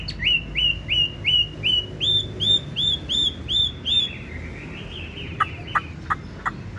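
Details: Tame caged Chinese hwamei with yellow bill and legs, praised for its voice: a clear upslurred whistle repeated about three times a second for four seconds, then a softer warble and sharp clicking notes.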